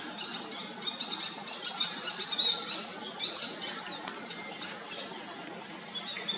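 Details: A Malaysian pied fantail (Rhipidura javanica) calls with rapid, squeaky, high chattering notes, about four a second, against a busy, hissy background.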